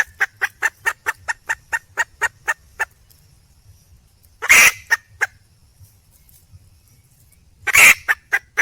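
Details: Hen red junglefowl calling for a mate: a rapid series of dry, short clucks that stops, then two harsh, loud squawks roughly three seconds apart, each trailed by a few softer clucks, with little other sound.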